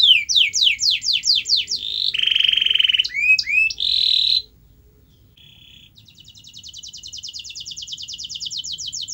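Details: Song of a canary, used as a lure to make a reluctant canary sing. Repeated sweeping chirps, a flat buzzy tone, and curled notes, then a short pause before a soft, quick trill builds steadily.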